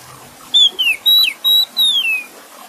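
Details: Oriental magpie-robin song: five clear whistled notes near the same high pitch, some level, others sliding downward, given in quick succession with short gaps over faint background hiss.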